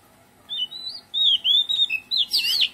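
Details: Oriental magpie-robin in a garden giving a melodious song of clear, sliding whistles that rise and fall, ending in a quick burst of sharper, twisting notes over a quiet background.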